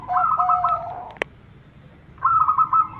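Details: Local zebra dove lure song to get other zebra doves singing: rippling, beaded trilled coos in a short phrase, a single sharp click, then the trill returns.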